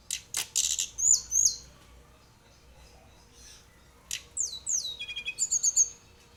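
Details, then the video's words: Juvenile mountain tledekan, still spotted, learning to roll its song: sharp high chips, then paired downslurred whistles, a pause, and a second burst of sliding whistles ending in a quick run of rapid repeated notes over low background hiss. "Tledekan Gunung Trotolan Belajar Ngerol"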